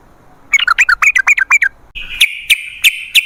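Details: Sooty-headed bulbul song used as a lure for wild bulbuls: a quick run of bubbly, warbled notes, then a steady high whistle broken by sharp clicking ticks about every third of a second.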